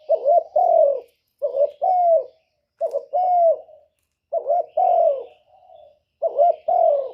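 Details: Lure spotted dove used by trappers to attract wild doves, giving low, mellow coo phrases about every one and a half seconds; each phrase a short clipped note then a longer, falling coo, with faint chirps from other birds.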